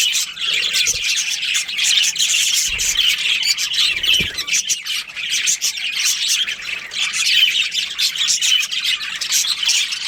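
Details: Many budgerigars from a breeding colony squawk and chirp together, a constant harsh, scratchy chatter of high notes over ten seconds, with a few dull knocks near the start.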